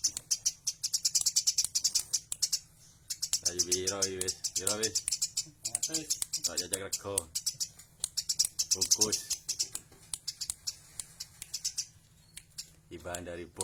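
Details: Tame Eurasian tree sparrow chirping lively in a small room: fast series of thin, high chirps, interrupted by several stretches of a man talking.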